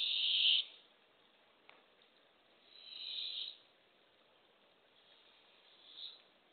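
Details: Barred owl nest box, early on April 27, 2024, while a female tries to feed a baby opossum to the owlets. One loud hissing screech, then two softer, fading hisses a few seconds apart.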